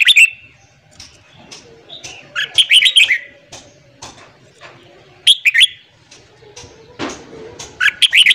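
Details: Morning song from a red-whiskered bulbul, used for training newly caught bulbuls: three bursts of rapid, rollicking whistled notes, roughly every two to three seconds, with soft clicks and a brief low note between.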